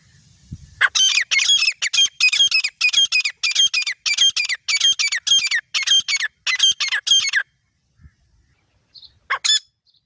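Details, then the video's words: Grey francolin pair, male and female, giving a loud burst of rasping, repeated notes at an uneven pace for about six seconds, then a pause and one final squawk. "Nar aur mada teetar ki full masti wali awaz|Grey Partridge Male Female Sound | Female Teetar Awaz"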